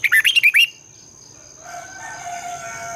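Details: Morning song of a red-whiskered bulbul for training birds to sing: a rapid string of six bright warbled notes in under a second, then quiet with a soft fluttering hum.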